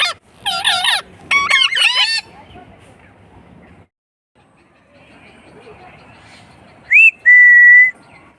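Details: Pet green parrot at home screeching loudly in harsh, many-layered bursts over the first two seconds, then quiet, ending with a rising whistle that holds as a steady pure tone.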